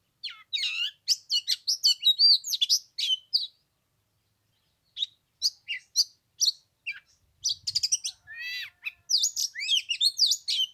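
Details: Oriental magpie-robin song on the third day of Lunar New Year, 15 degrees and cold, the bird having sung for an hour: long runs of fast varied chirps and whistles, a brief pause, then more energetic chattering.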